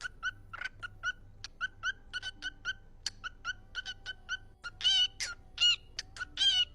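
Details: Parrot talking, repeating a short word like "cookie" over and over in quick, harmonic, speech-like bursts that grow louder and harsher toward the end, over a faint low background hum.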